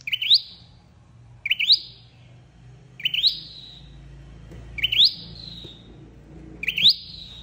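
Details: Trapping-lure recording of a flowerpecker: five spaced calls, each a quick rising squeak ending in a drawn-out, descending thin whistle, about one every one and a half seconds.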